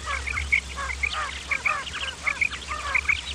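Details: Male and female common quail calling, sounds meant for luring quail when hunting: quiet, scattered short chirps and clipped two-note calls from several birds, with a constant low electrical-like hum beneath.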